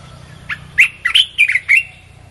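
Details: Red-whiskered bulbul song, a recording played to lure wild birds: one short, clear phrase of about five quick, warbled, chirpy notes against a quiet background.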